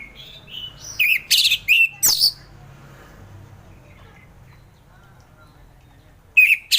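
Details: Orange-headed thrush singing in the relaxed ngeplong style, used as morning therapy for thrushes reluctant to sing: a burst of bright, varied whistled and buzzy notes, then a long near-silent pause before a brief phrase resumes at the end.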